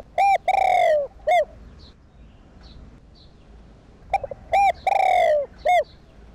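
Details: Spotted dove cooing to stimulate caged decoy doves: two phrases, each short hooked notes around a long falling coo, with a couple of soft high chirps in the pause between.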